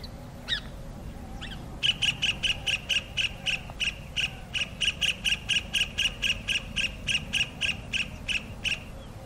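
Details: Kingfisher calling its mate: a long series of sharp, clipped notes, evenly repeated about three times per second after two separate opening calls, over a steady low background rumble.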